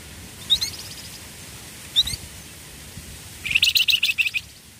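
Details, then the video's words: Flamboyan songbird with two isolated thin, high chirps, then a rapid rattling burst of about eight sharp, bright notes near the end, against steady soft hiss. "FLAMBOYAN OMBYOKAN LANGSUNG BUNYI"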